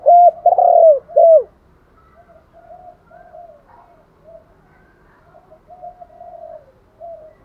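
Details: Luring call of the spotted dove (cu gáy): a loud phrase of two short notes, a long coo and an arched closing note at the start, then quiet, faint cooing for several seconds.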